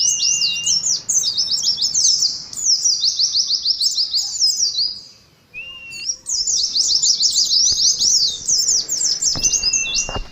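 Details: Competitive ngalas song of caged Oriental white-eyes for colony therapy: two long bursts of fast shrill twittering separated by a brief pause, with thin held whistles between and some faint clicks near the end.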